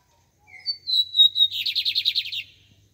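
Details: Double-collared seedeater, known in Brazil as bigodinho, singing: a few thin whistled notes rising in pitch, a sustained high whistle, then a fast run of about eight buzzy repeated notes lasting about a second, on a quiet background.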